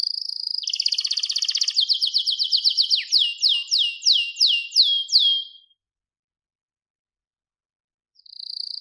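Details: Canary singing in a recording meant to train other canaries to sing: a fast buzzy trill, then a run of descending whistled sweeps repeated about every half second, a silent gap, and a trill starting again at the end.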